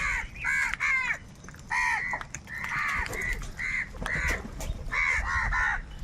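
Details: Crows in a large flock fighting for food give loud, harsh caws in clusters of two to four, separated by short pauses, over a low background rumble.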